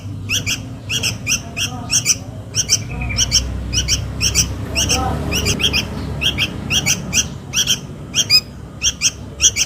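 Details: Sooty-headed bulbul chick calling its mother, used as a lure sound: harsh, scratchy chirps in quick pairs and triplets, repeated steadily throughout over a low background rumble.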